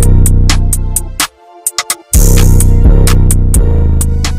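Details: Electronic music with a pounding drum-machine beat and synthesizer tones, a brief near-silent break in the middle, then the beat returns.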